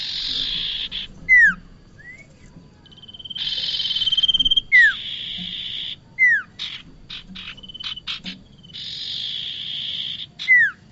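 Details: Lure recording of bar-winged prinia: long harsh buzzy bursts alternating with short chips, punctuated by repeated clear downward-slurred whistles every couple of seconds and a thin sustained high trill.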